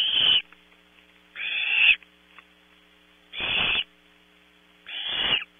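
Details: Barn owl chicks at a nest at Audubon Starr Ranch, California, competing for a 3 a.m. prey item. Four rasping, hissing screams of about half a second each, spaced roughly one and a half seconds apart, over a faint hum.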